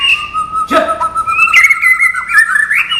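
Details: White-rumped shama in the non-puffing style, holding long clear whistled notes at two pitches, broken by a sharp click, then ending in a warbled rising flourish.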